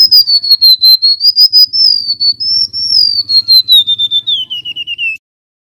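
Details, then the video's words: A wild male golden-bellied gerygone, recorded for use as a lure, sings a thin, high, wavering run of rapid whistled notes that slowly slides downward over about five seconds, with a faint low hum underneath. "Suara asli burung REMETUK LAUT GACOR"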